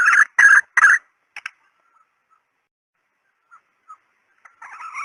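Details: Female red junglefowl call used as a decoy: three loud, harsh, clucking notes in quick succession, a pause with a few faint soft notes, then a longer, buzzy, wavering call starting near the end.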